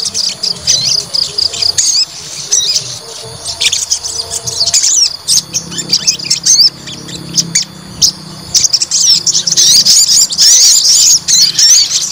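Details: Provoked white-rumped shama fighter singing choppy bursts of high chattering and whistled notes, quieter in the middle, then a long intense run of rapid trilling phrases toward the end.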